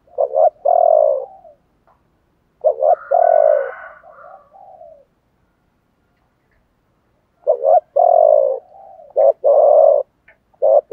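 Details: Male and female spotted doves in the 'thổ bầu' cooing style, played to stimulate other doves to coo: low, hollow coos in short phrases, each opening with a quick note and ending in a fading drawl, with silent gaps between.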